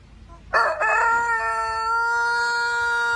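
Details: Rooster giving a long crow: a loud harmonic burst rises into one sustained, even, drawn-out tone held for over two seconds, in an otherwise quiet setting.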